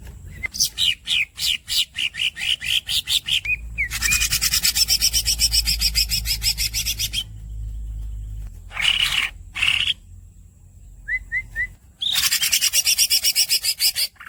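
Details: Green cucak, the greater green leafbird, giving a quick run of squeaky notes, then a long harsh roll of about four seconds. Scattered bursts, a few soft upslurred whistles, and another loud roll follow.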